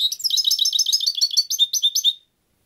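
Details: European goldfinch in continuous song: about two seconds of fast, liquid twittering, a rolling stream of high tinkling and chirping notes that stops abruptly.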